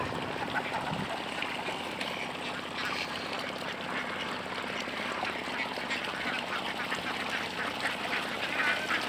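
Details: A farm flock of about 400 Khaki Campbell ducks, raised on canals and wetlands, quacks continuously in a dense, overlapping chorus of harsh, nasal calls, with a faint voice and some background noise.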